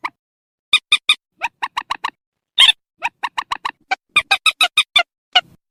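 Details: Squealing calls of purple swamphen, broadcast by loudspeaker to lure birds into nets at night, recorded October 2024; rapid runs of short, hoarse harmonic notes, one harsher burst midway, repeated in clusters.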